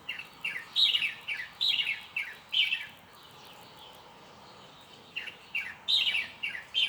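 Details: Small bird singing in lively bursts of high, sharp chirps repeated in quick succession, pausing for about two seconds midway before resuming its rapid twittering, with faint background noise.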